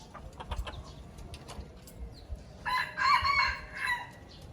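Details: Red junglefowl from Aceh, recorded as a lure for attracting birds: after a few soft taps and knocks, a single short, harsh, broken crow bursts out and fades within about a second and a half.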